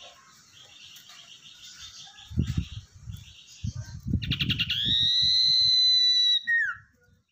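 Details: Tamed wild-caught Common iora used as a lure bird: soft chattering, a quick series of clicks, then a long steady whistle ending in a downward slur, with low handling thumps and rustling underneath.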